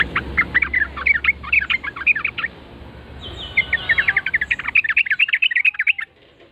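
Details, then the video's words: Yellow-vented bulbul replying to a lure call with two long bursts of rapid, bubbly chattering notes that jump up and down in pitch. A brief pause separates the bursts, over steady low background rumble. "trucuk langsung NYAUT GACOR dor setelah mendengar pancingan burung trucukan ini"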